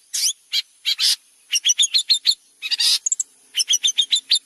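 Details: Long-tailed shrike singing actively, a recording used as a tutor for white-rumped shama: harsh, buzzy bursts alternating with clusters of sharp high chirps in uneven groups, with a faint steady high hiss behind them.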